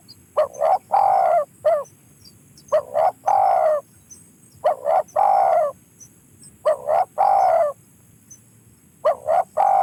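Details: Spotted dove repeating its cooing phrase, two or three short soft notes leading into a longer low coo, about five phrases in ten seconds with little else heard.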